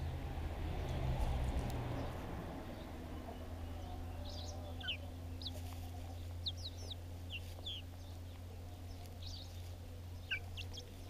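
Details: Little backyard chicks feeding, recorded with a GoPro; short high peeps and chirps repeat irregularly through the second half, with a steady low hum and rumbling noise underneath.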